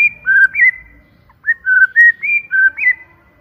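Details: Clear, loud white-rumped shama lure song ('pancingan'): mellow whistled phrases that slide up and down in short loops, a brief pause, then five more fluted whistles at a similar pitch.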